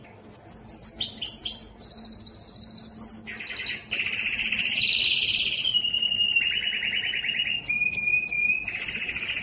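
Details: A yellow canary sings a varied sequence: quick descending chirps, high whistled tours, drawn-out rolling trills and steady tones, shifting pitch every few seconds with little pause.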